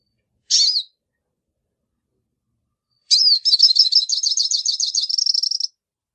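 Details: Hooded siskin (pintassilgo baianinho) gives one sharp high call, then after a long pause a rising whistle opens a rapid, tinkling twitter of high notes, ending in a thin buzzy trill.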